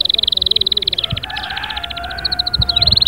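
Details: Domestic canary singing: fast repeated trilled notes near 4k, then a slower series of short notes with a background hum and low thumps.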